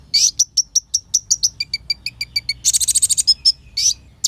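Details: Olive-backed sunbird singing energetically as a lure to rile other birds: spaced high chirps, then a faster run of lower two-tone notes, a dense buzzy rattle, and a final sharp burst.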